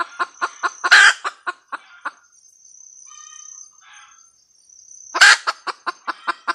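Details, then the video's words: Female red junglefowl cackling in two bouts. Each brings rapid clucks and a loud rasping squawk, and a faint twittering call fills the quiet gap between, over a steady insect whine. "poj qaib tsauj dib tuaj zoo ,เสีนงไก่ป่าตัวเมียกระต๊าก"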